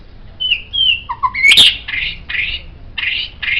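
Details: White-rumped shama song used as a master tutor for songbirds: clear whistled notes near the upper-middle range, a sharp high flourish, then repeated buzzy rasping phrases.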